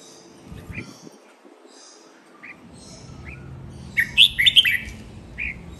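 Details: Red-whiskered bulbul training song, styles len rik, nap dok, mae bot and lak wai. Sparse soft notes build to a loud, quick, warbling whistled phrase, followed by one trailing note.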